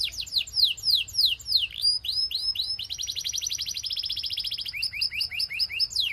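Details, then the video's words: Belgian canary singing to get other canaries singing: slow downslurred whistles give way to a long, even rapid trill and then clipped repeated chirps. "Doesn't Your Canary Sing? Put This On, HE Will Sing a Lot‼️ Belgian Canary🐦"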